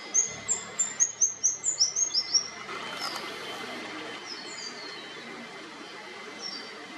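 Rufous fantail giving a quick run of about ten very high, thin, squeaky notes in under three seconds, then a few fainter notes over soft background hiss.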